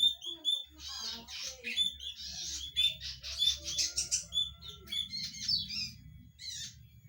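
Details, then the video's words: Loud-voiced red-headed zitting cisticola giving a busy run of sharp, high chirps and buzzy twitters, packed in quick clusters with brief gaps, over a low steady background hum. "Burung cici padi Kepala merah"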